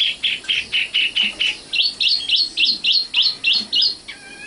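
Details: Common nightingale, called sikatan londo, singing: a run of about ten clear, evenly spaced chirped notes, then a quicker series of higher, upward-flicked notes, ending in a soft trill.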